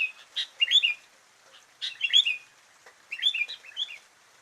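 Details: Sooty-headed bulbul giving three short, liquid chirped phrases, each a quick bright flourish of a few notes, spaced roughly one and a half seconds apart.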